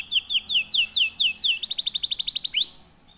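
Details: Silver salju canary, described as over birahi (strongly in breeding mood), singing loud rising whistled slurs repeated about five times a second, then a fast buzzy trill near the end before the song stops.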